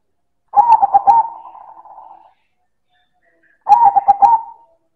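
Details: Zebra dove, a silver-coloured bird, calling loudly: two low cooing phrases, each opening with a quick stuttered burst of notes and then a drawn-out trailing coo, separated by about a second and a half of silence.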